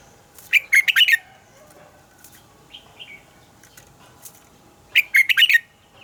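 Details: Training recording of a red-whiskered bulbul's morning song in a double-note, old-forest style. Two lively phrases of four or five fast, bubbly notes come about four seconds apart, with a brief soft call in the pause.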